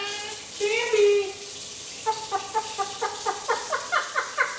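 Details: Indoor one-year-old male Eclectus parrot mimicking a hen: one drawn-out nasal note, then a steady train of about ten short clucks, one every quarter second, rising slightly in pitch toward the end, over soft hissing background noise.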